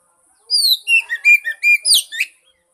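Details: Oriental magpie-robin (kacer) singing, played to coax a silent bird into song: a string of about seven bright, downslurred whistles and warbled notes, ending in a higher squeaky flourish.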